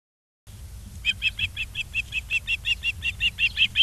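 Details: Ospreys at a nest in Charlo, Montana, on 22 August 2023 at 16:07, filmed by a live nest camera; a rapid series of high, whistled chirps, about five per second, steady and slightly rising in loudness, after a brief silence.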